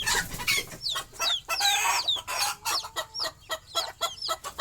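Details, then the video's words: At night, young chicks struggle to join their sleeping mother hen on a nest perch. Bright descending peeps sound among loud rustling and scraping bursts, with a few short clucks. "Mother Chicken Calling Chicks Go to Sleep - Baby Chicken Chirping Noises"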